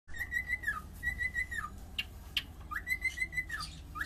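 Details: Cockatiel singing: a series of whistled phrases, each a steady note that rises sharply, holds with slight wavering, then drops away, repeated about every second, with brief clicks and faint low hum behind.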